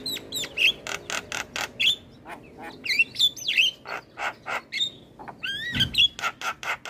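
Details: Javan myna song used as master training audio for other mynas and starlings, bird head-bobbing while singing: sharp broadband clicks and rattles repeated in quick bursts, mixed with short whistled notes that rise and fall.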